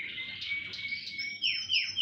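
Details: Singing canaries in a chorus: a long steady whistled tone under buzzy trilling, then loud, quick downward-sweeping notes repeated two or three times at the end.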